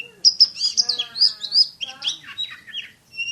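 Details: Oriental magpie-robin in rapid shooting song, high sharp whistles run into a buzzy harmonic note, then scratchy chatter and a final thin whistle.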